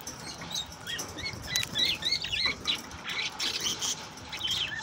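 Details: Australian budgerigar song, said to encourage mating: rapid chattering warble of short twisting chirps and squeaks, continuous over several seconds, with a low rumbling background.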